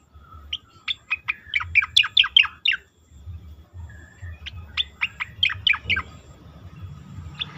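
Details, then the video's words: Asian pied starling song for competition-bird training: two fast runs of sharp, repeated chirping notes separated by a brief low whistle and pause, with a lone note at the end. "khas cica koreng suara shahduh sangat bagus untuk masteran burung lomba"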